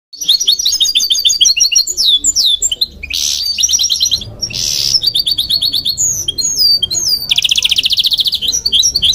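A goldfinch × canary hybrid sings a fast, continuous twittering song of bright chirps, trills and slurred notes.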